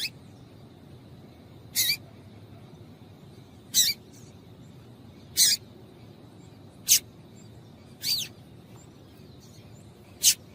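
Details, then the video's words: Female double-collared seedeater piping to get males singing: seven crisp high chips at fairly even intervals of about one and a half to two seconds, over low background hiss. "Piado de Fêmea de Coleiro para Esquentar Coleiro"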